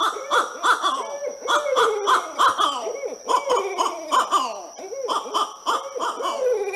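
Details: Barred Owls in an intense duet, described as caterwauling. Wild overlapping cackles and whooping hoots tumble over one another so fast they sound like several birds or monkeys.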